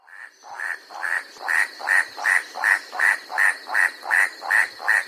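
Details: White-striped forest rail from mid-mountain forest on New Guinea's Bird's Head: a run of about thirteen dry, regular clacks, starting softer and then steady at nearly three per second, with a faint high drone.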